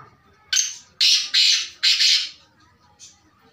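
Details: Kala teetar, the black francolin, utters four loud rasping notes in quick succession, the third and fourth paired, then a soft short note a second later.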